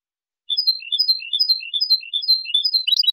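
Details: Clean song of a Spanish European goldfinch for teaching juveniles: spaced, liquid twittering notes jumping between pitches, ending in a quicker flurry.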